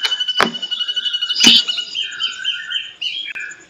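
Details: Ashy drongo singing vigorously, used as a training recording for cage songbirds and described as long and harsh: a rapid buzzy pulsed trill with two sharp clicks, then a run of varied warbled, slurred notes.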